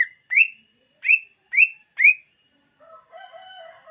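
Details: Lure song of a greater green leafbird. Four rising whistled notes repeat about every half second. Then comes a softer, rougher, lower warbling sound.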